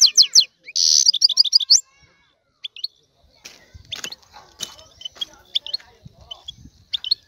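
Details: European goldfinch male in excited song aimed at stimulating a female to mate: about two seconds of fast twittering with a harsh buzzy burst, followed by scattered faint chirps and soft clicks.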